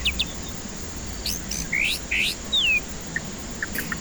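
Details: White-rumped shama song used as a lure for stressed, silent birds: sharp high notes, loud clicks, two buzzy rising slurs and a clear descending whistle, then sparse soft chips over hiss.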